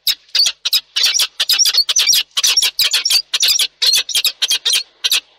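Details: Peregrine falcon pair at a nest in Reda, Poland, after a storm on 1 July 2022 at 20:10. A rapid, loud, continuous chatter of harsh, grating notes, about five per second, runs without a break.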